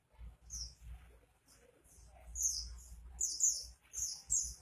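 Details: Oriental white-eye (pleci) singing actively: thin, very high twittering chirps in short bursts, growing louder and denser toward the end, over a faint low hum.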